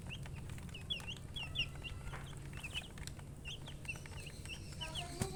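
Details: Baby chicken chicks chirping: high, short downward-slurred peeps, often in quick pairs, scattered through the clip over a low steady hum.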